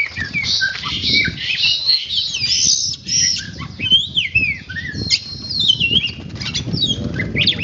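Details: Training oriental magpie-robin (kacer) singing a varied, chattering string of high squeaky whistles, slurred notes and sharp chips with uneven rhythm, over low background rumble.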